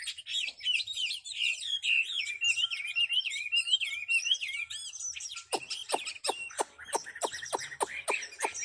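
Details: Chinese hwamei on the competition stand sings quick rolling whistles, then switches to a series of sharp, evenly spaced whip-like notes, about two per second.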